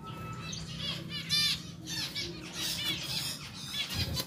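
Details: A pair of captive pied zebra finches being moved to a larger cage. They give scattered harsh, nasal squawking chirps over a low droning hum and faint rustling.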